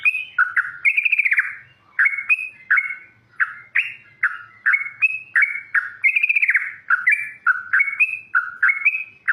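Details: Wild yellow-vented bulbul singing loudly and vigorously: a run of bubbly, liquid notes that rise and fall, some phrases warbled and slurred, repeated almost without pause over a quiet background.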